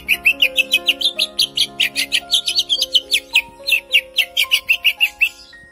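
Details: A trained, conditioned Greater Green Leafbird pours out a long, unbroken roll of rapid, sweet whistled notes, about four per second, over faint steady background music.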